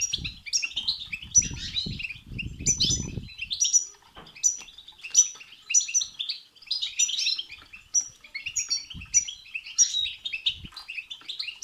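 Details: European goldfinch song played to stimulate a goldfinch to sing: a fast, continuous run of high tinkling twitters, trills and short buzzy notes, with scattered low thumps early on.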